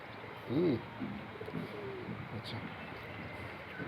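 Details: A kept domestic pigeon gives a low, rounded coo that rises and falls, followed by softer murmuring notes.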